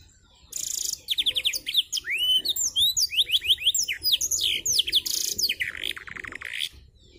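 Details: Canary practising black-throated canary song with wings spread; dense fast sequence of high upward and downward slurred whistles, short buzzy bursts and chattering trills, stopping briefly near the end.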